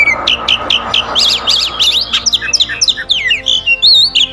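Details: Oriental magpie-robin singing: a quick run of short, sharp repeated notes over a faint steady tone, then a rising and falling warble of slurred, buzzy whistles that ends in a long wavering phrase.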